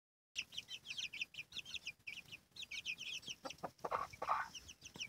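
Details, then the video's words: Domestic chicken hen with her chicks: a dense chorus of high, thin, downward-slurred peeps from many chicks, running nearly continuously, with a few lower, louder hen clucks near the end. "la gallina y sus pollitos"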